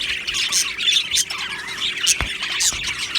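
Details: Australian budgies in an aviary colony: harsh squawks and rolling warbles over a dense background of chattering birds, with a couple of sharp percussive knocks.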